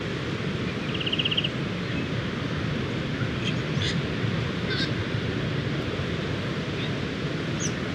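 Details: Striated pardalote gives one quick, high trill of rapid even notes lasting about half a second, in the morning at its dune nesting burrows at Sandy Beach, Mid-North Coast, New South Wales, over steady crashing surf and faint chirps from other birds.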